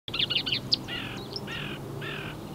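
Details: Marsh warbler singing on 15 May 2020, its song a medley imitating other European and African birds: a quick chattering burst of high notes, then three buzzy, slurred phrases about half a second apart, over low rural background noise.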